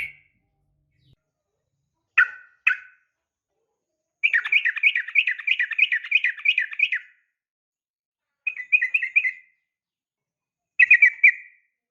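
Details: Female yellow-vented bulbul calling the male: two sharp single notes, then a long three-second string of rapid bubbly chirps, followed by two shorter chattering phrases separated by silences.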